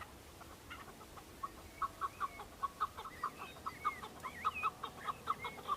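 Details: Breeding-season male Chukar partridges fighting and displaying to females on Bamo mountain, Kurdistan: a regular train of short chucking notes builds over several seconds, with thin slurred whistles from another bird above it.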